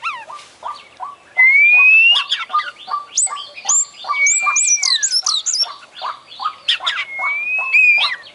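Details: Kacer (Oriental magpie-robin) champion in loud continuous imitation song: long rising and falling pure whistles, quick high slurred notes in series and a steady run of lower chips underneath.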